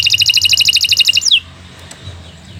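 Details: Caged canary used for tutoring young birds, delivering a fast, evenly pulsed trill of bright notes that ends in a sliding drop, followed by quiet background.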